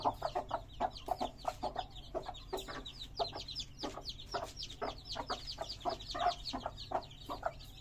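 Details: Domestic chicken chicks, described as colourful, give a busy stream of short chirps and peeps, with clipped notes repeated several times a second alongside thin high sweeping peeps, against a low steady background hum.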